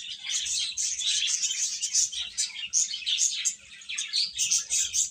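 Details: Chicken chicks chirping: a dense, continuous chorus of high, thin peeps overlapping without pause, many birds calling at once with a faint low hum beneath.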